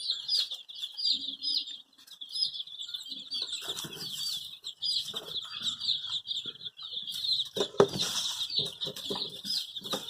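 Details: Chicks with dyed colourful feathers, said to be looking for their mother, giving a steady stream of high, thin peeping chirps, with rustling, wing-flapping and scuffling noises underneath.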